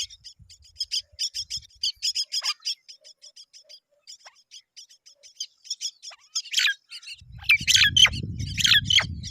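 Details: As both adult Myna birds arrive to feed them, Myna chicks give rapid, high, scratchy chirps that swell into louder harsh squawks; a low rumbling noise, like wind or handling, sets in late.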